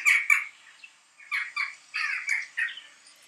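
Jackdaw giving short, sharp 'chak' calls: two quick notes, a pause, then four more in a loose series, each bright and slightly nasal.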